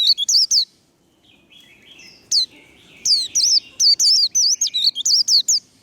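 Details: High, sweet líu contest song of a warbling white-eye being fired up: a quick burst of twisting whistled notes, a pause with faint low hum, then a longer run of rapid, looping chirps.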